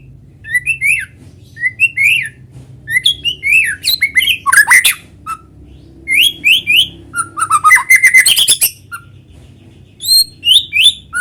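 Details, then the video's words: White-rumped shama in full natural song, played as a lure to get other shamas singing: loud clear whistled phrases, slurred up and down, broken by dense rapid buzzy rattling bursts, with short pauses between phrases. "PANCINGAN BURUNG MURAI GACOR SUARA ALAMI BIKIN MURAI BATU IKUT BUNYI"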